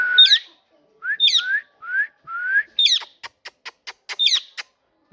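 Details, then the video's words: Pet parrot vocalizing in a quiet room: rising whistled notes alternate with sharp chirps that sweep high, followed by a run of quick, evenly spaced clicks and more chirps. "Parrot Talking"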